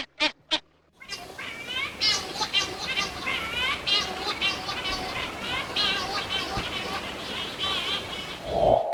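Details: Cory's Shearwaters wailing, as they do mostly at night when colonies are most active, echoing across cliffs and caves: a dense chorus of nasal, wavering, rising-and-falling cries overlapping continuously after two brief clicks.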